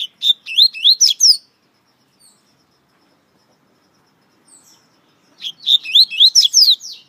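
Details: Variable seedeater (coleiro) song, a captive bird described as one of the best in Brazil, recorded on many CDs: two bursts of rapid, high whistled and twittering notes with sweeping slurs, separated by about four seconds of silence.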